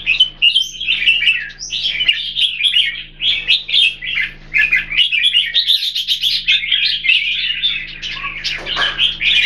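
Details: Red-whiskered bulbuls kept in cages Singapore-style, two birds compared: near-continuous chattering song of quick sweet twitters and warbled notes running almost without a break for nine seconds, over a faint steady low hum.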